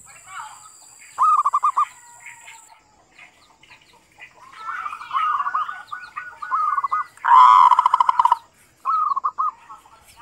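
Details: Local zebra dove song used as a lure for other doves: quiet gaps broken by stuttering cooed trills, several softer overlapping phrases, and one loud harsh burst before a final trill.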